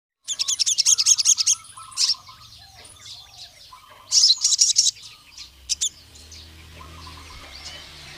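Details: Crimson sunbird (sogon) of the wild forest type, calling to a rival male: rapid high, thin chattering trills in two bursts, with sharp chips between and softer, lower whistles in the background.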